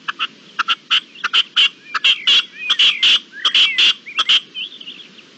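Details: Red-legged partridge calling on 25 April 2021: a series of harsh, clipped chuck notes, some doubled, repeated in quick irregular bursts, ending with a few faint rasping trills.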